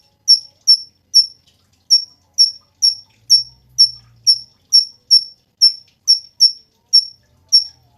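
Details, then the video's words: Cungkok recorded for training songbirds, uttering a long, fairly even run of crisp, high, downslurred chirps, roughly two per second, with a brief faint low hum in the middle. "SUARA BURUNG CUNGKOK SUPER GACOR"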